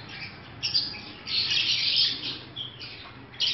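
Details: Pet African lovebirds during breeding season make shrill squawks and chatter in uneven bursts, with a long harsh run in the middle and a last sharp squawk.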